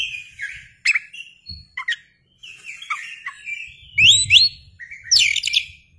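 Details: {'text': 'Oriental magpie-robin in song, displaying with its tail open, lure recording: drawn-out whistles and sharp clicks, a brief silence, then bright rising slurred notes and a rapid high flurry.'}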